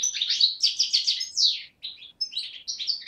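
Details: European goldfinch, subspecies parva, a 2011 youngster from Beni Snassen near the Moroccan–Algerian frontier, recorded 8 January 2012, delivering a continuous run of bright tinkling twitters, slurred notes and buzzy trills with brief pauses.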